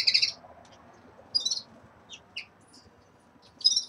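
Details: Caged red-fronted serins starting to moult utter loud high chirps at the start, middle and end, with scattered softer ticking notes between, over a quiet background.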